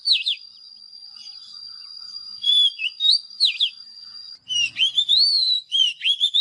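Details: Oriental magpie-robin singing well: scattered downward whistled slurs over a steady high tone, then a lively run of rising and falling melodic whistles.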